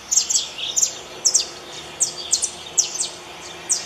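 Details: High, thin chirps from a saffron finch in the wild, paired or tripled notes spaced about half a second apart, heard against a noticeable rushing background hiss.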